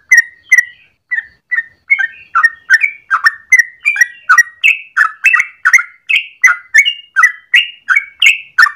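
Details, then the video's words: Long rapid 'ropel' morning song of a yellow-vented bulbul, meant as a lure or training master: a steady string of short warbled notes, around three per second, some swooping upward, others falling, in a quiet background. "Trucukan gacor ropel panjang pagi hari"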